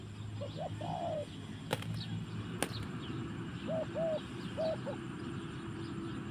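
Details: Forest song of a spotted dove: a short phrase of low coos opens, the last one longer and sliding down. After two sharp clicks, a second phrase of four soft, paired coos follows, over steady low background noise.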